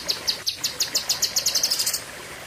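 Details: Cucak kinoi in a sharp song burst: a series of high chirps that speeds up into a rapid, even run before stopping.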